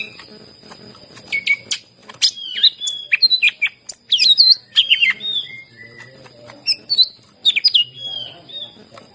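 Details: {'text': 'Greater green leafbird song for coaxing reluctant birds. Sharp clicks lead into twisting, high, looping whistles and chattering phrases, with further chirped bursts after a pause.'}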